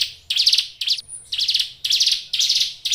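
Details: Cage-kept Hill Prinia giving brief buzzy, chattering notes in short bursts separated by small gaps, with a faint thin whistle between bursts.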